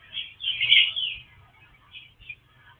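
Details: Oriental magpie-robin of the kacer wulung type, called a rare bird: a loud, bright warbled phrase with a sharp peak near its middle, then softer scattered chirps, over a low background hum.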